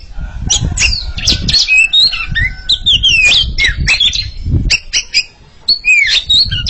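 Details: Oriental magpie-robin pair competing in song, mixing melodious gliding whistles with harsh, scratchy squawk-like notes and sharp clicks, a brief pause near the end, then more whistled phrases, over low background rumble.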